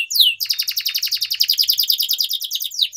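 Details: Atlantic canary song used for training: one downslurred whistle, then a long, even, rapid rolling trill of short repeated notes, closing with a swept chirp.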